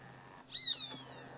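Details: A social flycatcher (Myiozetetes similis) gives a single sharp, slightly arched, harsh high note lasting about a quarter second, over a faint low hum.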